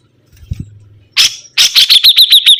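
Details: Lively sibuntung bird: after a soft low knock, a harsh burst, then a fast run of ringing, high, evenly spaced chips, about eight per second.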